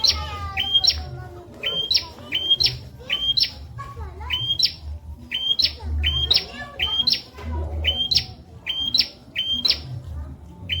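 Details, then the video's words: Tutor recording of a bar-winged prinia for teaching magpie-robins and leafbirds: high double notes, each a level whistle then a quick upward flick, given in a rapid run with brief pauses, with low rumbling hum behind. "Burung Prenjak Masteran Viral Buat Murai & Ijo"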